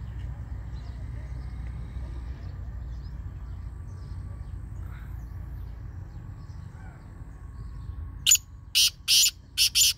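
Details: Black francolin giving a short run of four grating, scratchy notes at the very end, the last one cut off, after a long stretch of only low droning background hum.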